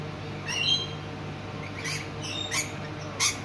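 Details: A juvenile rainbow lorikeet (Trichoglossus moluccanus) begs for food from a parent in the Tropical House at Wingham Wildlife Park, Kent: four harsh, high, rasping squawks about a second apart, over a low steady hum.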